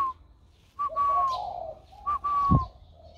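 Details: Spotted dove with a newly warm-toned voice, 16 February 2020: two coo phrases, each a short clear note followed by a longer steady tone over softer low hoots, about a second apart, with a faint thump.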